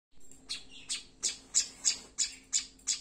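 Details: Tailorbird; begging call; asking for food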